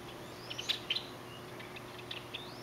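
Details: Java sparrows outside a bedroom window on a chilly Hawaiian morning give short, high, clipped chip notes, about eight in a loose scatter over under three seconds, against a steady low hum and faint outdoor noise.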